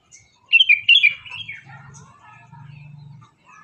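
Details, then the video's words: A bird chirping in the morning: rapid high, bright twittering notes, then softer falling warbles, while a low steady droning hum runs beneath. "Burung Berkicau Di Pagi Hari"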